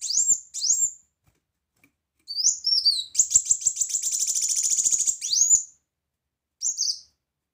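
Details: Brown-throated sunbird in full loud 'tembakan' song for tutoring birds: high upslurred whistles, then a long rapid trilled rattle of dense repeated notes, then more rising whistles.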